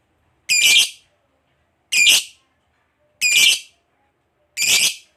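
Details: Lovebird of the fighter type, prized for long 'ngekek' chatter that makes other lovebirds respond: four separate harsh, screechy notes evenly spaced roughly every one and a half seconds.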